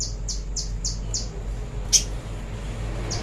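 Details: Training master song of a little spiderhunter: five thin, high, downslurred chips in quick succession, then a pause and one louder sharp note, over a steady low hum.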